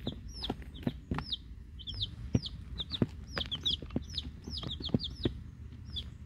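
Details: Week-old chicks, eight Rhode Island Red hens, two Black Sumatra hens and one mystery chick from a hatchery, call in rapid high peeps that rise then fall, in pairs and triplets, among sharp pecking taps and low hum.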